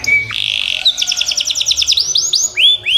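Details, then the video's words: Yorkshire canary singing: a steady high whistle, then a brief buzzy note, a fast run of clipped rising notes and several loud upward-sweeping whistles at the end. "KICAU KENARI YORKSHIRE"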